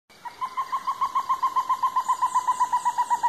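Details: Stresemann's bristlefront, a female described as the last of her kind, giving a steady series of short mid-pitched whistled notes, about four per second, evenly spaced and slightly swelling in loudness, over faint background hiss.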